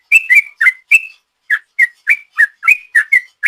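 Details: Rapid 'ropel' song of a sooty-headed bulbul, used as a lure: a quick run of short, slurred whistled notes alternating slightly up and down, roughly three per second, with a short gap after the first four.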